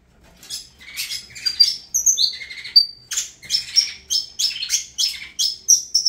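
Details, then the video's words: A Saffron finch from the Avalanche bloodline starts softly, then breaks into clear high whistles and a long steady note before a rapid train of sharp repeated chips, rising in loudness. "Canto do Canário da Terra Avalanche"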